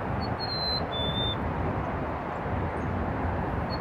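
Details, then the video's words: Black-capped chickadee giving its clear whistled two-note song, a higher note then a slightly lower one, over steady low wind or traffic rumble; Burlington, Canada, March 26, 2018. "black capped chickadee song"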